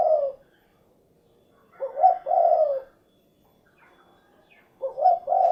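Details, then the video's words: Repeated cooing from a spotted dove (derkuku): brief low hoots followed by a sustained mellow coo, phrases spaced roughly three seconds apart with quiet between. "SUARA BURUNG DERKUKU / CUKURUKUK KUK GERUK"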